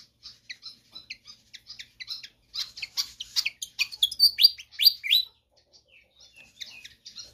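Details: Pied fantail singing energetically: spaced high chirps at first, then a dense, loud passage of rapid, scratchy notes and slurred whistles for about three seconds, trailing off into soft, scattered chirps.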